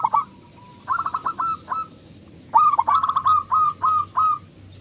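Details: Loud local zebra dove singing to spur silent doves into song: quick stuttering coo notes in two phrases of about six beats each, separated by a short gap, each note dipping slightly in pitch.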